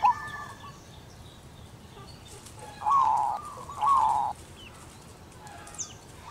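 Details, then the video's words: Female zebra dove of local stock performing manggung to call its mate: two strong, rolling coo phrases a second apart after a faint opening note, each a slightly wavering trill, over quiet background hiss and faint distant bird chirps. "suara perkutut betina lokal manggung panggil pasangannya"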